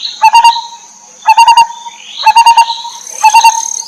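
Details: Wild lineated barbet, mother feeding her young; grouped bursts of four quick harsh pulses roughly every second, with a constant high whine and faint upswept chirps between bursts.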